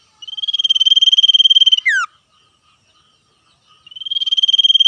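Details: Vigorous trilling of a wild male common iora exchanging calls with other wild birds. A long even buzzy trill drops into a sharp slurred down-whistle. After a quiet gap of almost two seconds, the next trill starts.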